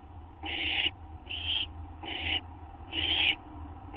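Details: Owl awaiting a treat of gopher or vole, 8 September 2011 at 12:38 AM: four loud, breathy screeches, each near half a second, with short pauses between, a steady low hum underneath.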